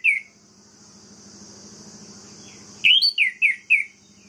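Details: Song of an orange-headed thrush meant to enrage other birds of its kind: a lone whistled note, then after a low humming pause a rapid run of four bright, downward-slurred whistles.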